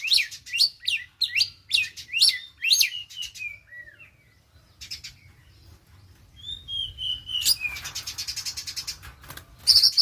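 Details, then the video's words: Caged Oriental magpie-robin, a young bird released from the fledgling stage and learning a rapid 'konslet' style song: loud repeated rising-falling notes, a descending slurred whistle, then dense buzzy chatter and sharp chips. "Kacer Lepas Trotol belajar KONSLET. Tembakan Mewah"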